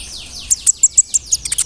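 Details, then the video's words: Vigorous brown-throated sunbird used as a lure: descending thin whistles overlapped by a quick string of piercing high chips, about six per second. "PANCINGAN KONIN GACOR BODY BIG SUARA NYES BIKIN KONIN LAIN TAMBAH EMOSI"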